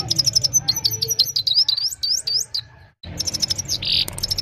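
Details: Evening song of a Himalayan goldfinch captured by mobile phone: quick series of high, bright upslurred and downslurred chirps, a one-second silence, then renewed twittering with a short buzzy note, faint low hum beneath.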